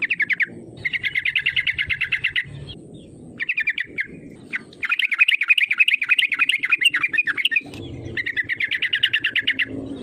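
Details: Yellow-vented bulbul calling hard as a lure to goad rivals into sounding off: long bursts of rapid, bubbly, pulsing notes repeated in quick succession, separated by brief pauses, over a soft low background hum.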